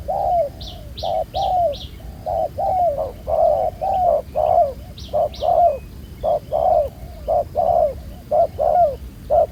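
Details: Spotted dove caught from the wild, black-collared, cooing well during ground-decoy trapping. Mellow coos repeat in pairs nearly once a second, with a few sharp high chirps from another bird early on.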